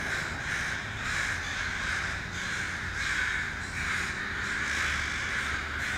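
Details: A murder of crows assembling in a Vancouver tree in British Columbia, recorded by iPhone 5S: clamorous caws swell in pulses just under a second apart, with many voices blending into a coarse, continuous racket.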